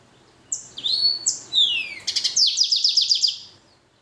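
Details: Blackthroat x canary hybrid finch singing slurred, falling whistles that lead straight into a rapid, evenly paced trill of about ten high notes.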